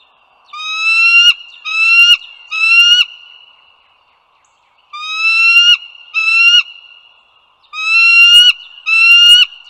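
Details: Bald eagles at Dulles Greenway, northern Virginia, 16 April 2022, morning: three groups of harsh, upward-sliding whistled notes, three, two and two calls, separated by quiet gaps, with a continuous high background hum.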